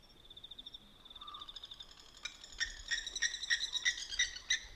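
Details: Blacksmith lapwing calling at night by a dam in Manyeleti Game Reserve, South Africa: after a steady high insect trill, a fast run of sharp metallic 'tink' notes starts, several per second, continuing over the trill.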